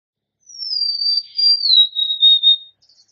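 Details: Golden-crowned sparrow (Zonotrichia atricapilla), song.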